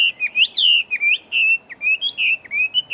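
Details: Chinese hwamei of fighting stock, large-bodied and a fast singer. Its song is a flowing series of long, clear whistles that rise and fall, broken by brief sharp upward flicks. A thin steady tone sounds behind.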